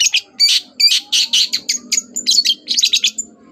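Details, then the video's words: Morning Long-tailed shrike song intended to provoke replies from other birds: a dense, scratchy chatter of rapid harsh notes mixed with short whistled slurs, nearly continuous. "CENDET GACOR PAGI HARI BIKIN BURUNG APAPUN EMOSI NYAUT BUNYI"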